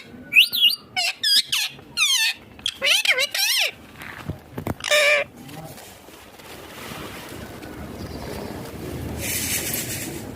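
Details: Rose-ringed parakeet while eating, delivering a quick series of harsh harmonic squawks and warbles for about four seconds, then quieter background rustle with a brief hiss near the end.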